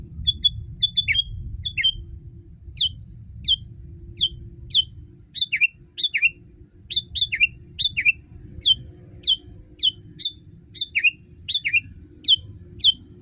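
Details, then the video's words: ['Sooty-headed bulbul song played as a master recording to encourage captive bulbuls to sing. A long run of crisp whistled notes and quick slurred phrases repeats steadily over a low background drone.'] "Masteran kutilang!!!kutilang paling dicari untuk membuat burung kutilang anda langsung ikut berbunyi"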